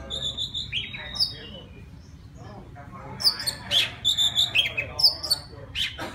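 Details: Wild Oriental magpie-robin singing to call a female: a few high whistled notes, a quiet pause, then a rich burst of sweet whistles, quick chirps and sliding notes at the end.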